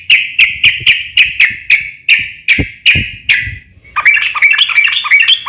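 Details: Yellow-vented bulbul in fighting mode, a song meant to provoke other bulbuls into answering: a run of about a dozen bright, clipped notes repeated roughly four times a second, then a rapid bubbling chatter of mixed warbles.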